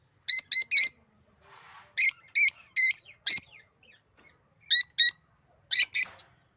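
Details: African lovebirds giving loud, piercing squawks, mostly in pairs or triplets, each note harsh and ringing, with short quiet gaps between the bursts.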